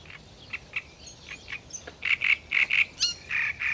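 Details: A great reed warbler sings. Soft scattered ticks lead into a loud stretch of rhythmic, raspy croaking notes, paired and repeated about twice a second, with one sharp high note near the end.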